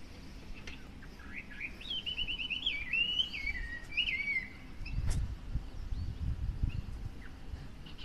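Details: Chinese hwamei singing from a hedge in front of a house in Japan, heard every morning: a run of clear, rapidly repeated whistled notes and slurred phrases, with low rumbling traffic-like background noise.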